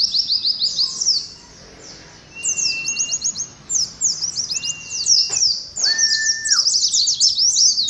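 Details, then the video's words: Caged Oriental white-eyes dueling in 'ngalas' song: bursts of quick high descending chirps, a brief quieter pause early on, then thick overlapping chatter cut by several long level whistles and a sharp click. "TERAPI ADU NGALAS SAAT KOLONI PLECI"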